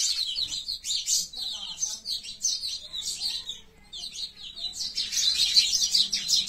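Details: Sparrows (pichuka) fighting: quick scratchy chirps in rapid runs, a short lull near the middle, then a louder dense burst of chattering.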